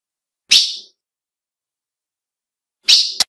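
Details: Female ultramarine grosbeak call for exciting males: a sharp high chip, then after a pause a second chip followed immediately by a short click-like note, on a silent background.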